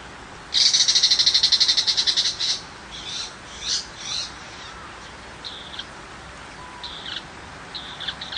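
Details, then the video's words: Tiger shrike in the countryside, a small, common shrike that does not mimic other birds. A loud rapid burst of harsh, buzzy, even notes runs for about two seconds, then breaks into scattered shorter chips over quiet background. "Chim Bách thanh vằn ở vùng quê"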